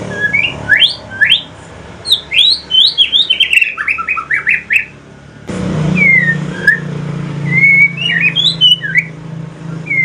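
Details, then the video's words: Aceh white-rumped shama, a male, singing a chatty song shifting into the pastol style: rapid runs of sharp whistled upslurs and downslurs, a pause, then sparser clear whistles over a steady low hum. "Kicauan sore hari murai mutasi ke pastol si paling cerewet"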